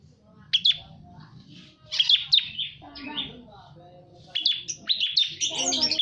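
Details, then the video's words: Bar-winged prinia lure calls: sharp, high chirping notes in short bursts around 0.5, 2 and 4.5 seconds, ending in a dense chattering run, with low background hum. "Pancingan burung prenjak putih / ciblek kristal"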